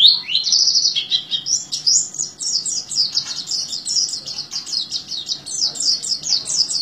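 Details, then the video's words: Oriental white-eye in energetic full song, kept in the teler style: a fast continuous run of high, thin chirps and trills, tightly strung together and tumbling up and down without pause, in a quiet setting. "Pleci Gacor Teler"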